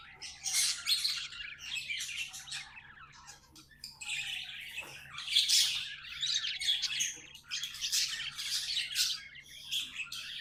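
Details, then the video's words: Pet budgies keep up a nearly continuous, buzzy warble of high twittering notes and squawks, rising and falling in loudness throughout. "Budgies amazing love & singing 🎵 sounds"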